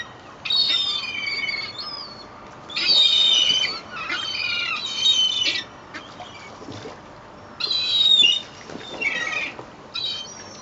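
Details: Rowdy seagulls being fed half a loaf of bread at Fleetwood Docks on a sunny day: loud harsh squawking bursts of about a second, repeated with short pauses, several birds overlapping.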